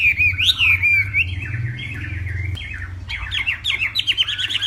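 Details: Morning contest singing of a northwest Vietnam hwamei: looping, wavering whistled phrases, then a burst of rapid scratchy chattering notes toward the end, over a low background hum.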